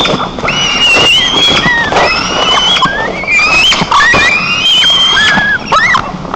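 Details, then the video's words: White-tailed eagle arriving at its nest in Nizhnyaya Kama National Park, Tatarstan, 5 August 2024, calling loudly from a nest camera: a series of high, thin, piping whistles, some rising and some wavering, over steady background hiss. "Явилась главная сирена леса - Тойма"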